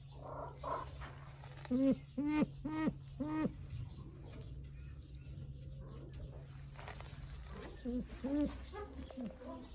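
Brown eared pheasant giving four loud, harsh, nasal calls in quick succession, then two more later; a steady low mechanical hum and faint voices run underneath.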